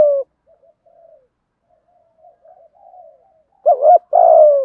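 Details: Spotted dove pair cooing for luring wild birds. Mostly quiet with faint soft murmurs, then one loud low phrase near the end: a short bent coo followed by a long falling coo.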